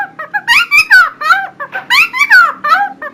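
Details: Helmeted friarbird in loud song, used as a model to train other songbirds. Rich, varied whistled and slurred notes with rising and falling sweeps are delivered in rapid bursts, loud and close, with no other clear sounds.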